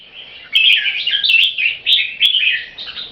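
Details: Red-whiskered Bulbul singing aggressively against a rival caged bird, each trying to out-sing the other; dense run of bright warbling, rising and falling whistled notes after a quiet start, punctuated by sharp clicks.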